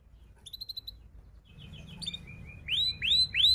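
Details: Canary singing, used to teach young canaries: a few faint high whistled notes, then louder chirps and three strong rising-and-falling swept whistles repeated about every third of a second over a low hum.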